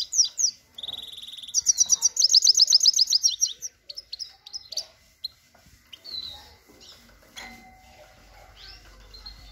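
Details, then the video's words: Caged pair of European goldfinches, male and female, giving bursts of rapid tinkling trills and liquid twitters in the first half, then sparse scattered chirps over quiet background hum. "gold finch liveing and singing سهره نر و ماده"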